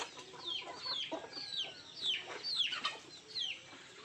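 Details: Country chickens (nattu kozhi) eating food, giving a stream of high, thin, downslurred peeps that overlap in quick succession, with a few fainter lower notes beneath.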